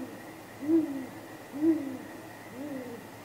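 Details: Contact hoots from a great grey owl pair at the nest at night, April 2019, with possible mating: three low soft hoots spaced about a second apart, the last quieter, over a faint constant electronic hum.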